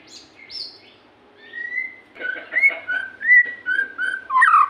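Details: White-rumped shama singing, soft thin whistles at first, then building into louder warbled and slurred whistled notes toward the end.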